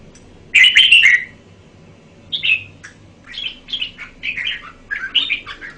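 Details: Song of a caged red-whiskered bulbul: a loud warbled opening phrase, then a string of softer, quick whistled notes rising and falling, repeated rapidly to the end.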